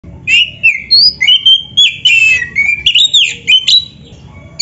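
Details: White-rumped shama, a gacor (vigorous) singing kacer used as a master recording to prompt other birds, giving a rich run of loud whistled and slurred phrases, varied notes rising and falling, with a low hum beneath.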